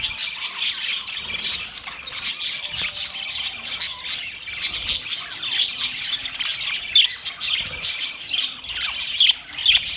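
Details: Chirping budgies making mating sounds, with rapid high ticks and squeaky notes in irregular bursts, occasional clearer whistled chirps standing out above the busy twitter.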